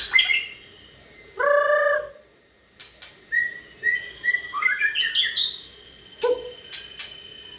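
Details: White-rumped shama, a captive 32 cm pastol kept in a storehouse, sings a low, rich sustained whistle, then a rising run of varied whistled notes, with sharp clicking sounds and a steady hiss behind.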